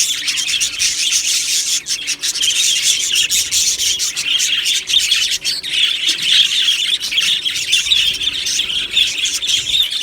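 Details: Budgerigar colony in an aviary, 1 July 2025: continuous busy chirping and twittering from many birds at once, bright and high, with scattered sharp squeaks throughout.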